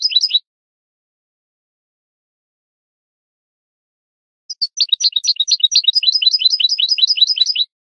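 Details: European goldfinch song from a recording used to tutor young birds. A brief twittered burst, about four seconds of silence, then three seconds of fast, bright, jingling notes.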